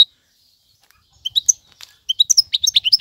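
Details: European goldfinch, a strong male singer used to tutor young birds, gives a sparse opening: a few high twittering notes, then a run of quick tinkling chirps around the upper register, with brief silence at the start.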